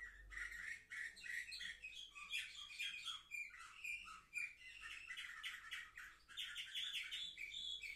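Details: Orfey canaries aged seven months, filmed 10 November 2023, singing a long, dense warble of chirps, buzzy rattles and quick trills that shift in pitch throughout, with a faint low hum underneath.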